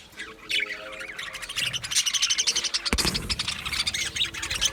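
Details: Aviary colony of budgerigars chattering continuously: many overlapping high, warbling chirps and squeaky notes form a busy, lively chorus, louder and denser from the midpoint on.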